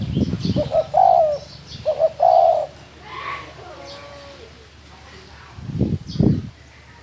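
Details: Spotted dove from the wild giving two low cooing phrases, a stuttered start and a longer falling hoot, followed by quieter background with thumps and faint noises.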